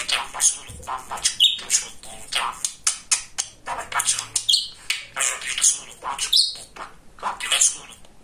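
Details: Pet male budgerigar, very talkative, chattering: clicky, buzzy speech-like syllables in quick succession, punctuated by several short high whistled notes.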